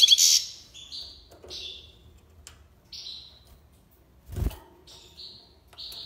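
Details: European goldfinch from Algiers, Algeria, singing in the tiwawati style: a few sliding, slightly buzzy notes spaced about a second apart, with a dull knock partway through and a quiet background.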